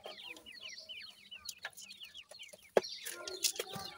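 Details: Grey francolin chicks, named as Irani teetar young, utter a steady stream of short downward-sweeping peeps. A sharp bang lands near the end, followed by clattering.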